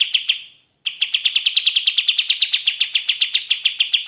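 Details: Sooty-headed bulbul giving its 'tembak' song in clear sound: a short burst, a brief gap, then a long, even run of rapid, bright, buzzy notes, about seven each second, with no other sounds.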